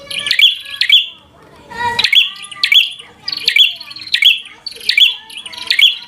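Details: Bar-winged prinia giving fighter song that provokes a rival: loud clicky notes with whistled tails repeated about every three quarters of a second, broken by one harsh, squawking note.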